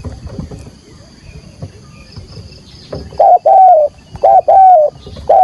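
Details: Spotted dove decoy bird giving a full 'thúc gù' urging coo in field-voice style, used to lure wild doves into a trap: after quiet rustling, loud mellow coos arrive in short bursts, each sliding slightly down, over a faint high insect hum.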